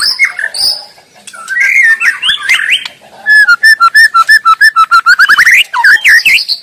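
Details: In the wild, a white-rumped shama sings rich, varied whistles that swoop up and down, then a rapid string of evenly repeated short notes, finishing with zigzagging, warbled phrases.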